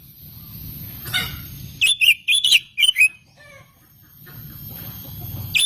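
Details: Oriental magpie-robin song used as a lure to provoke other magpie-robins into singing; about a second of loud, clear whistled notes, sharply rising and falling, between quieter stretches with a low rumbling background.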